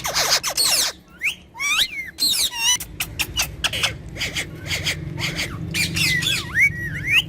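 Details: Pair of pet talking parrots from one family, giving a busy run of harsh broadband squawks mixed with bent, rising and falling whistled notes and chattering bursts. Steady low hum throughout.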